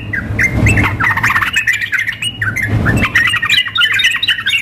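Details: Female sooty-headed bulbul calling a male, combined with a male singing wildly as in a contest; choppy, rapid chirping bursts, about four a second, over a low thumping background.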